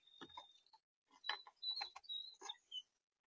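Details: Two wild blue jays, said to be brothers, scold starlings and tell them off: harsh, broadband rasping bursts mixed with thin high whistled notes near the top, in about five ragged bursts over three seconds, with short gaps between them.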